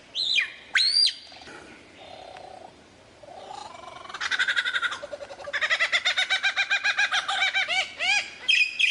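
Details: Lyrebird in mimicking song: steep whistled swoops, a low soft purring passage, then a fast pulsed rattling trill that rises in volume, ending with short whistles.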